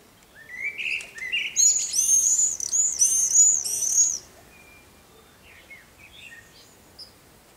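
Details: At least six common swifts flying around occupied nest boxes and the roof ridge give shrill, buzzy screams in a rush lasting about two and a half seconds, then a few faint, scattered chirps against a quiet background.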